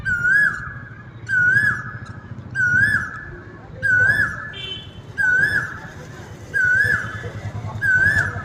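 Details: An Asian koel among mango trees gives a clear, rising whistled note about every 1.3 seconds, seven times, over a low background rumble.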